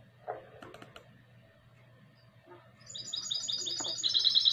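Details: Hybrid of goldfinch and canary from 2020: quiet knocks and hum give way at about three seconds to a fast string of sharp high notes, building into a loud continuous ringing trill.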